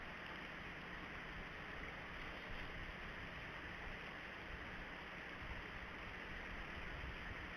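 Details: Steady broadband hiss like wind or rushing water at a nest camera, with no woodpecker or other animal calls.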